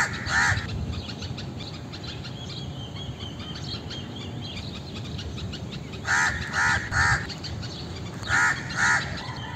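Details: Indian crow giving harsh, nasal caws: one near the start, a quick run of three after a pause, then two more at the end, over steady chirping and twittering of other birds in the background.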